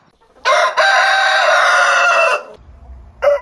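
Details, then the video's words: Rooster crowing in the morning: one long, loud, harmonic crow lasting about two seconds, held fairly level before fading, then a brief quiet gap and the start of another loud crow. "Morning Hen Sound & Rooster Sound Effect - Cock Dance Suara Ayam Jago Berkokok"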